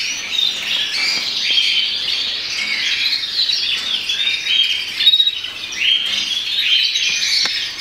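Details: Agate opal red mosaic canary, a melanin colour-type bird, singing: a dense, unbroken stream of high twittering and warbled trills, with brief louder chirps, filling nearly eight seconds.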